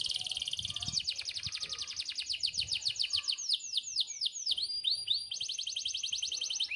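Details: Canary tutor song for reluctant singers: a long, rapid, even trill of high notes, then a few slower sweeping slurs, and a second fast trill to close.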